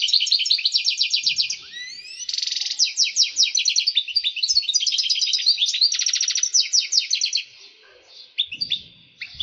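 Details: European goldfinch in excited breeding song to prepare females for mating: quick twitter series, a couple of rising slides, dense buzzy and tinkling notes, then the song thins and fades out near the end.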